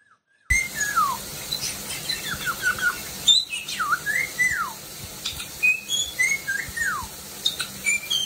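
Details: Parrot making a steady string of whistled notes that slide downward, repeated many times with brief gaps, along with scattered high chirps in a small indoor room.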